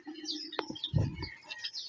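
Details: Java sparrows in a kept breeding colony in West Bengal, India, ten days after nesting began; short scattered high chirps and twitters over a few low thumps and knocks.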